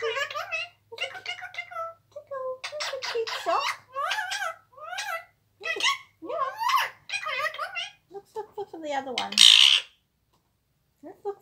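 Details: An Indian ringneck parakeet kept as a pet, playing with socks, chatters in quick, speech-like bursts of squeaky, bending syllables, ending in a harsh screech; a faint low hum runs underneath.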